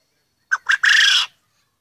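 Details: Male quail, one of several cocks kept together in an aviary, crowing as the large, confident, dominant bird: two short clipped notes followed by a longer harsh, buzzy phrase, with quiet surroundings.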